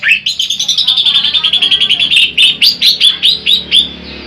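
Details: Greater green leafbird song used as a master recording for luring birds: a rapid run of repeated chirpy notes around the upper-middle range, then louder separate upslurred whistled phrases, several per second.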